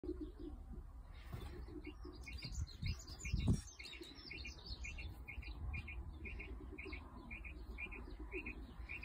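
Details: Quail singing outdoors in the countryside: a short, crisp three-note phrase repeated about every half second to second, over a steady low rumble of wind or distant noise.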